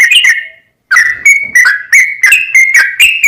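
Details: Sooty-headed bulbul in full song for luring other birds to reply: after a short gap, a quick series of bright whistled notes, some flat and some dipping, repeated several times a second.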